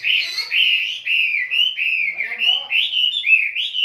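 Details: A kapas lovebird sings in tembakan fashion, an unbroken, buzzy warble of rising and falling chirps running nearly two per second.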